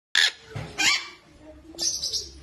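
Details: Hand-reared Yellow-collared macaw, one of a male-female pair, giving three harsh, raspy screeches, the last one longer and grating, separated by short pauses over a faint background hum.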